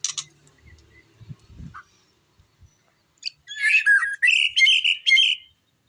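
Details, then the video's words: White-rumped shama song, a burst of varied, buzzy and whistled phrases with sharp chirps in the second half, preceded by soft low thumps and brief human voice. "burung muraibatu"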